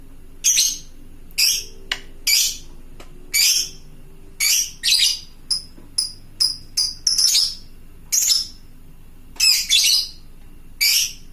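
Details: A fighter lovebird calls out to fellow lovebirds, sounding shrill scratchy screeches at irregular intervals, some in fast pairs and triplets, with short piercing notes between them and little background noise.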